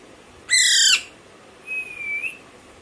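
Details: Pet baby Alexandrine parakeet lets out one harsh broad squawk, then after a pause a soft, thin whistle that rises slightly at the end.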